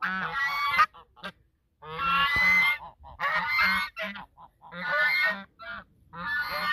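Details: Pair of geese calling in duet at the mouth of the Sosúa river, Dominican Republic; long, loud, raspy honks alternate with short clipped notes, separated by clear silent pauses.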